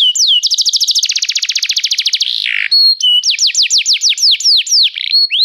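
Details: Canary singing restlessly: a very rapid, dense trill, a harsh buzzy burst, then a series of slower, clearly separated high down-swept whistles.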